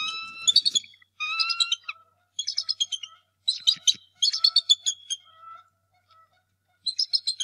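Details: Male bald eagle at the Decorah North Nest on a morning in early March 2018, angrily defending the nest against an intruder: bursts of high, chattering piping notes in quick runs, with brief pauses between series.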